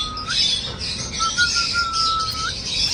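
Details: Cockatiel singing: a long, steady, clear whistle held with small rising inflections, over a dense background of many high chirping birds.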